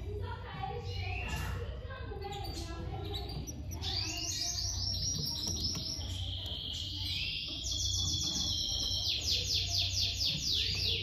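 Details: Domestic canary chicks being fed by their mother, calling in fast repeated high chirps that build into dense bursts in the second half, over a low background hum.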